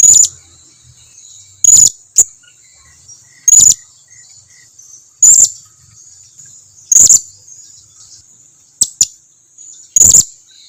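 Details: Blue-crowned hanging parrot call meant to lure others into answering: a steady run of loud, very high shrill notes about every one and a half to two seconds, with a few shorter chips between.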